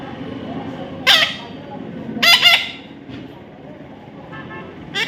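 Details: Young parrot during taming, uttering two short rasping squawks about a second apart, each sliding slightly upward, with low background rumble and a faint later call.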